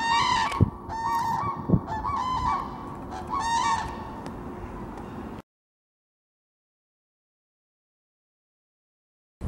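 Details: Eurasian cranes at the Washington Wetlands Centre giving loud trumpeting, honking calls in short repeated bursts over about five seconds, some overlapping, against steady background noise, followed by silence.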